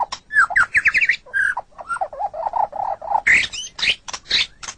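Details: Pet-training recording of white-rumped shama song: a fast whistled phrase, then rapid low warbling notes, ending in harsh, buzzy high bursts.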